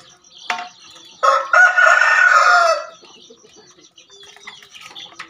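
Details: Javan green junglefowl crowing, one harsh, broadband, rasping burst of about a second and a half after a short faint note, then quiet with faint background birds.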